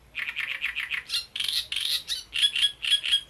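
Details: Great reed warbler at Bohdanečský rybník singing a rapid run of grating, frog-like croaks, then slower, louder rasping notes and shrill squeaky syllables repeated in pairs.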